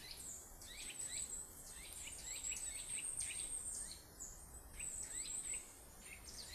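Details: Birdsong in an autumn forest, dense rapid chirps and quick descending and rising notes repeated throughout, over a steady high insect-like hiss.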